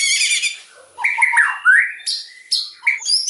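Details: White-rumped shama in loud, fiery song: a rapid buzzy trill, then slurred whistles and a rising note, followed by short sharp high calls.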